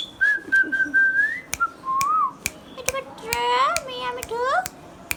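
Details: Hand-tame Indian ringneck parakeet talking: a long, steady whistle that rises slightly, a short wavering note, then rich harmonic speech-like syllables broken by crisp clicking taps.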